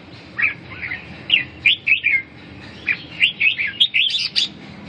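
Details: Chattering, warbling song of a red-whiskered bulbul, with lively whistled phrases repeated in short bursts about every half second, some notes rising sharply, over faint constant background noise.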